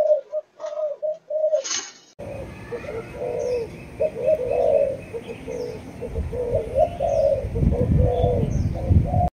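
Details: A four-month-old spotted dove of the Malaysian line in chiêu gù chạy style. A few clear low coos come first, then continuous rapid cooing under steady hiss, a high whine and low rumbling noise.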